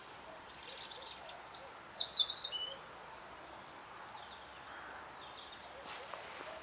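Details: European robin singing in spring, March 2014: a short burst of high, thin, varied warbled phrases over about two seconds, then quiet background with faint distant birds.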